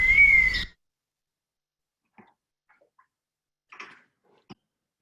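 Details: A Gray Hawk at sycamore-lined Harshaw Creek in the Patagonia Mountains of southern Arizona gives its distinctive call: a single high, plaintive whistle that rises slightly then falls, over a rushing hiss, followed by a few faint clicks and taps.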